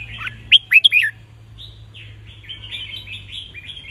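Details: Caged red-whiskered bulbul, its song used to tutor young birds: a quick, loud series of three or four emphatic upslurred whistles, then a quieter stretch of rippling, twittering warble notes.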